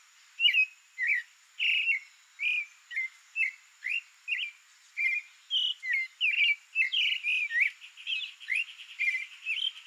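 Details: A creamy-bellied thrush (Turdus amaurochalinus), a Brazilian songbird in natural habitat, sings a steady run of short, varied whistled phrases, about two per second, clear and mid-high in pitch, with a faint steady hiss behind.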